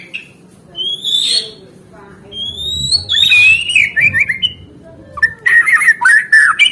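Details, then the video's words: White-rumped shama singing to prompt caged birds to sing again: long, high rising whistles with pauses between them, then a lively stretch of warbled, chattering phrases. "Suara Murai Batu Gacor Terapi Burung Macet"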